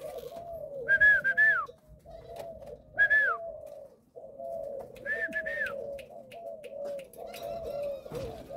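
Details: Indoor caged spotted dove, a Malaysian-line father bird with a stammering opening to its coo. A near-continuous run of low hoarse coos, about one every two seconds, is overlaid by three loud rising-then-falling whistled tones.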